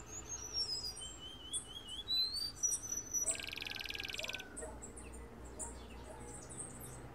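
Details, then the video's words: A canary trained by a tutor bird gives a fast, varied song of high silvery whistles and slurred notes, broken by a dense buzzing roll of about a second, in a quiet indoor room. "Canario cantando"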